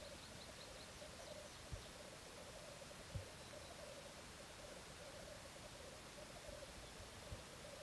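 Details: Black grouse in courtship display, a faint low bubbling roll running steadily through the whole stretch behind heavy background hiss, with a few short higher notes early on and occasional knocks.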